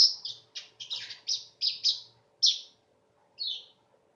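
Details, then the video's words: High, scratchy chirps from a weaver in a quick irregular series, gradually spacing out and ending with a single descending note. "Kicau Burung Manyar"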